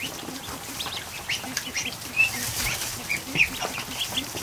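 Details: More than one hundred newly hatched ducklings paddling in a kiddie pool in a barn during the afternoon; clear, high, whistled peeps with brief upward slurs come every half second or so over soft water noise.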